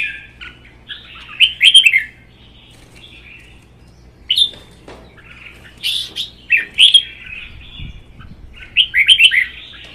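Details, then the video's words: Caged red-whiskered bulbuls in a singing contest, a young captive-bred bird against a wild-caught adult: bursts of warbled, slurred phrases, some sharp chattering notes, separated by short pauses, with a faint low hum behind. "CHÀO MÀO | Hót đấu kích ché CB Phi Mã2 & già rừng xòe cứng 1 mùa"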